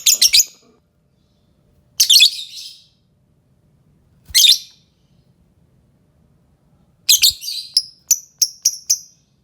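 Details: Fischer's lovebird of the green series: shrill, harsh chirping bursts spaced a couple of seconds apart, ending in a quick run of five short repeated chirps.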